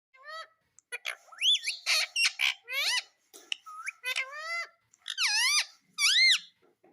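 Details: Pet Indian ringneck parakeet talking indoors: a quick string of squeaky, harmonic-rich syllables, each sliding up then down, delivered in bursts with short pauses over seven seconds, some sharp clicks between phrases.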